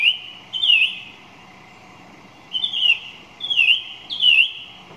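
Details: A song thrush gives whistled, looping phrases that twist up and down. Two quick phrases open, then a pause of over a second, then three more phrases repeated in close succession. Faint background hiss.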